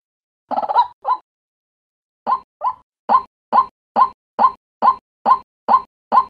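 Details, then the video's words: A White-breasted waterhen gives a string of hoarse, croaking notes, repeated steadily about twice a second after a few rougher opening calls; a daytime lure call. "waterhen sound"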